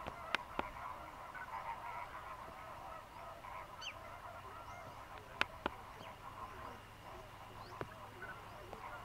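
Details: Thousands of migrant greater flamingos fishing in Mannar Island lagoons, Sri Lanka, in the dry season, keep up a continuous distant honking chatter, a massed goose-like babble, with occasional sharp clicks and a low hum.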